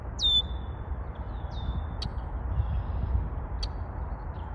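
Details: One clear red-winged blackbird song phrase, a sharp high downslurred note stretching into a long thin tone, followed by a softer echoing note, then a couple of brief sharp clicks amid steady low rumbling noise.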